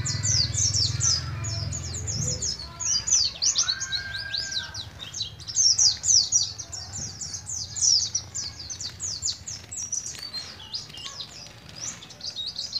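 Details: Oriental white-eye, a juvenile from Moga in Pemalang, Central Java, beginning to learn ngalas ngeroll: long dense runs of high, fast chirps, with a low hum early on and a brief lower whistled note.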